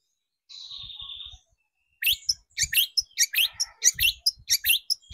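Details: Long-tailed shrike lure recording aimed at rousing shrikes to sing: a steady drawn-out whistle, a brief pause, then a rapid run of harsh chattering notes roughly five per second, with soft low knocks underneath.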